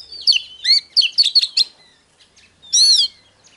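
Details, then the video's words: Oriental magpie-robin song in the hót déo style: a quick cluster of rich, warbled whistled notes, then a brief pause and a loud, bright, rising-and-falling whistled phrase. "Chòe than HÓT - DÉO"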